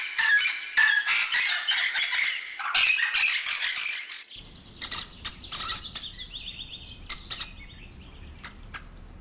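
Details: Parrot giving a dense run of harsh, chattering squawks for about four seconds, followed by scattered sharp clicks and short high chirps over a quieter background.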